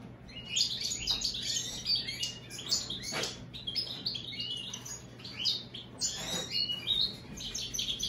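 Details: Goldfinch-greenfinch hybrid in sustained twittering song, dense bursts of high chirps, trills and buzzy notes running almost without pause, with a steady low hum behind.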